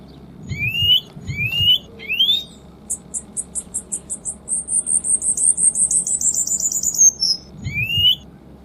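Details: Cuban bullfinch dense 'tembakan rapat' song for tutoring: scattered rising whistles, then a long, fast series of very high pulsed notes that slowly descend, over low background rumble and noise.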